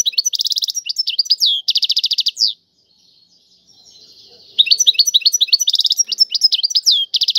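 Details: European goldfinch, Algerian style, singing a loud, fast song of rapid trilled twittering phrases and buzzy rattles, pausing about two seconds before resuming with sliding whistled notes.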